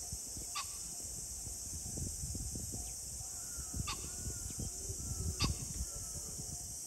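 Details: Pheasant recorded on 21 July 2024, giving three brief rasping call bursts spread over seven seconds. Faint thin whistled notes from other birds and low rumbling noise sit underneath.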